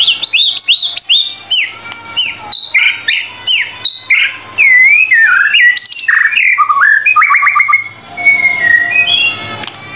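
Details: White-rumped shama in full, vigorous song on a tutor recording: a rich, varied stream of loud whistles, quick upward-sweeping notes, chattering bursts and sliding phrases, ending in softer rising whistles.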